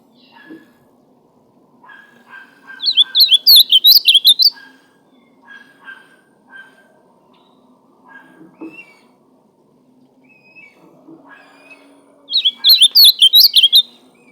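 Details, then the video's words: Ultramarine grosbeak singing: two bright, rapid warbled phrases of slurred whistled notes, each about a second and a half long and roughly nine seconds apart. Soft, faint low chirps and murmurs fill the quiet gaps between them. "Azualão cantando"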